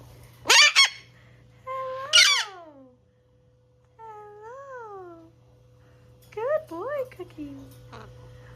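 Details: Captive cockatoo at a rescue sanctuary, playfully teasing a bigger parrot while hopping and swinging; two sharp harsh squawks, then a soft rising-falling whistled note and a pair of quick upward whistles, with a steady low hum behind.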